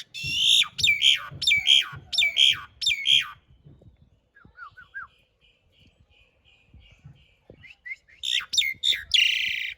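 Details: Asian pied starling song for training caged birds, rough filler and long rolls: five loud sharp whistled notes about every half second, a quiet pause with soft distant chatter, then a harsh burst of notes.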